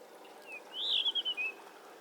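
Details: Blue rock thrush giving a single clear whistled call: a thin opening note, then a loud arched whistle breaking into a quick series of pulsed notes, ending with a short falling whistle, over a faint steady hum.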